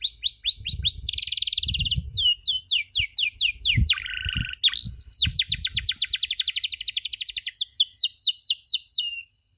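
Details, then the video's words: Canary song used as a master for young canaries learning cuit cuit: repeated falling chirps, a buzzy trill, a low harsh buzzing note, then long fast series of sharp chirps fading at the end. "MASTERAN KENARI SANGAT COCOK UNTUK PAUD YANG LAGI BELAJAR BUNYI CUIT CUIT"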